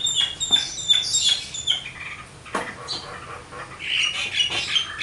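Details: Javan myna, known locally as jalak kebo, in full lively song with varied material: sharp high whistles and harsh squawky notes mixed with clicks, delivered in irregular bursts.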